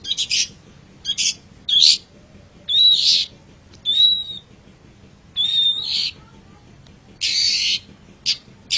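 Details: Long-tailed shrike sound for training caged birds: grating harsh bursts alternating with short thin whistled notes, spaced irregularly with pauses between.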